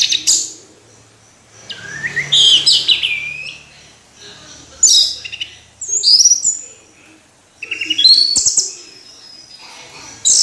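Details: Orange-headed thrush singing in separate loud bursts of rich, jumbled whistles and chattering notes, each burst a second or so long, with quiet gaps and a faint low hum between.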